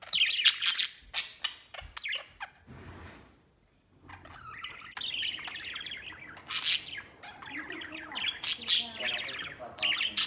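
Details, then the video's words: White budgerigar and a companion playing and flying around the cage; sharp chirps and clicks, a quiet pause, then lively, dense warbling chatter with harsh peaks. "Happy Budgies Playing Outside Cage"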